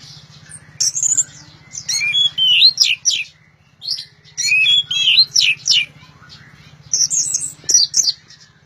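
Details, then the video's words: Loud orange-headed thrush song of varied high warbled and whistled notes in clustered bursts with brief gaps, a constant low hum in the background. "Anis Merah Gacor Teler Suara Keras"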